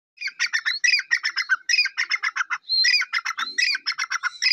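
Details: Black francolin from Pakistan calling: a rapid, harsh, chattering series of squawky notes, about five per second, running in two long bursts with a brief break.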